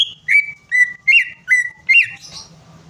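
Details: Greater green leafbird song used to trigger a non-singing bird: five clear, even whistled notes at middle pitch, about two per second, each with a slight upward flick, then a short fading buzzy trill.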